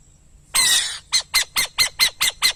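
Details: Burrowing owl: a loud, hoarse half-second screech followed at once by seven short, scratchy rasping notes delivered about four per second.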